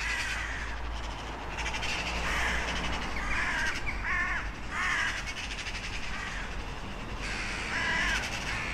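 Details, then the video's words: Several crows caw repeatedly, with harsh, grating calls arriving in clusters, some with a slight downward bend, over a continuous low rumbling background. "Sunete de ciori. Sunete de pasare cioara."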